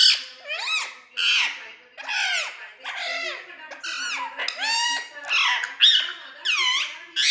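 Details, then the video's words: Pet parrot making a rapid string of varied squawks, squeaks and chattering calls, many with swooping, arched pitch, nearly continuous for seven seconds. "parrot sound"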